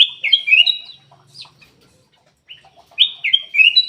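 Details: Black-capped bulbul lure song to make silent caged birds sing: two clear, bubbling whistled phrases, each a quick descending then rising run, with a few soft chirps in the gap.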